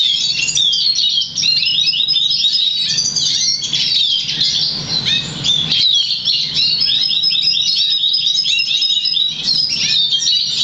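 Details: Crested, 50% variegated Black Siskin × Russian Canary mule, bred August 2009, trained to sing European Goldfinch notes; continuous rapid twittering song of high chirps, trills and buzzy notes running without pause, with a low hum beneath.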